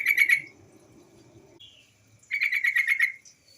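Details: Used as a lure to make other bulbuls sing: a female yellow-vented bulbul gives two rapid bubbling chatters, the second longer at about nine notes, with faint low background noise.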